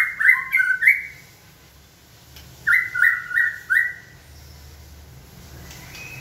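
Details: White-rumped shama in training, prompted by a person until it sings on cue: short bursts of stepped, slurred whistles that rise and fall, in two clusters separated by a quiet gap, over a low steady hum.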